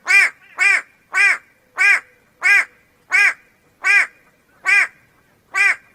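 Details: Harsh nasal calls of a White-bellied go-away-bird, a faster series of about ten grating notes given roughly every half second, steady and loud, with little else audible.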